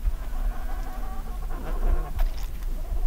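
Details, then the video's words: Emperor penguins calling from huddles in a colony on the first day of eggs hatching: distant, overlapping harmonic calls in a mid register with a steady low rumble of wind underneath. "Emperor Penguin / CU Of First Day Of Eggs Hatching In Colony Distant Calls From Birds In Huddles"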